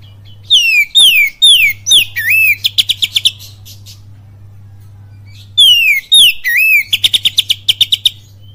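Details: Oriental magpie-robin in full kapas tembak cililin style song: strings of sliding downward whistles, a curling phrase and a rapid burst of about eight sharp repeated notes, two phrases separated by a quiet gap, with a constant low hum.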